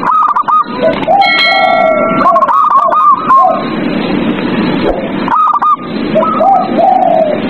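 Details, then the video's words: Zebra doves singing at night to draw captive doves into song: several overlapping runs of stuttered, hooked whistled coos, some lower arched notes, and a brief clear tonal tone, over persistent hissing noise. "TERAPI PERKUTUT MALAM HARI | PANCINGAN PERKUTUT AGAR BUNYI"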